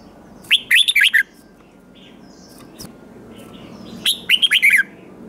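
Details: Red-whiskered bulbul singing competitively, a wild-caught bird: two similar bursts of fast, liquid warbled whistles about three and a half seconds apart, each with four or five notes.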